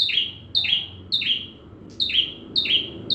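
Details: Bar-winged prinia giving full song as a magpie-robin tutor: loud high chirps with buzzy falling tails, repeated about twice a second over a faint low rumble.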